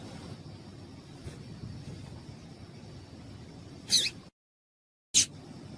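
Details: Female Yellow-bellied Seedeater, called papa-capim, giving a call meant to stimulate males: after quiet hiss, two short, high, squeaky notes over a second apart, separated by a silent cut.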